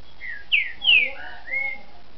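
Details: Captive-bred Green-winged Saltator of the mineiro type, recorded 29 June 2010, sings a short phrase of four clear, loud whistles, mostly slurring downward, the longest sweeping down in the middle, with a level closing note.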